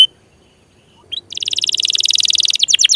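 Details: Canary song to encourage stalled, sluggish or young canaries: after a brief quiet opening, a rising note leads into a rapid buzzy trill ending in a few sharp downward slurs.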